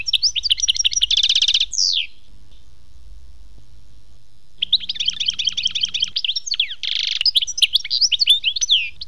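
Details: European goldfinch, locally called khmis melyana, singing a lively run of twittering notes, a fast buzzy trill and a falling slurred whistle, then a second burst of rapid tinkling phrases after a short pause.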